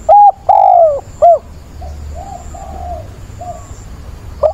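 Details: Caged decoy spotted dove, mature voice, cooing to find a mate on 17 September: three loud, throaty coos, the middle one long and falling, then softer distant coos from another dove and a final clipped note.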